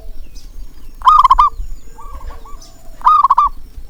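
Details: Zebra dove call to stimulate doves that rarely sing. Two loud rolling coos two seconds apart, a softer coo between them, and a low rumbling background.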